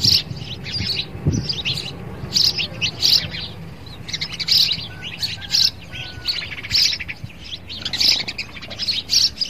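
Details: Sparrow fighting its own reflection in a mirror, giving bursts of sharp, high chirps in quick irregular clusters, with brief pauses and a faint low hum beneath.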